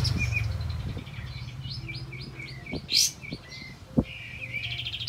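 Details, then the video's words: Olive-backed white-eye rolling through a run of short repeated whistles and chirps, played as a lure to make quiet birds sing, with a loud chirp burst, scattered clicks and a low hum. "Kapas Tembak Gacor Mbeset Nembak Siulan Roll Untuk Pancingan Kapas Tembak Macet Bunyi"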